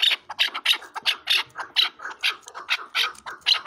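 A chukar partridge gives harsh, raspy chuck notes, about three per second in a steady run, with a faint room echo.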